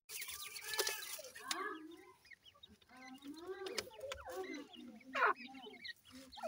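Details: Francolin (teetar) chicks calling: a crowd of overlapping soft, rising-and-falling chirps and short peeps, some harmonic and slurred, others thin and high, with one louder sharp peep near the end.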